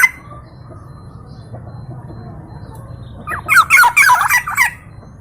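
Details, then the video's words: Rapid string of about eight rough, squawking notes jumping up and down, lasting just over a second, from a local East Javan Black-naped oriole known for many melodious sound variations; low hum in the background. "KEPODANG LOKAL JAWA GACOR VARIASI BUNYI BANYAK"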